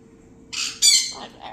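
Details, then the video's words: Pet umbrella cockatoo indoors giving two harsh screeches, the second louder, then a softer raspy squawk; owner thinks it calls when the phone rings, expecting Dad, or gripes at being woken. "Wake up call"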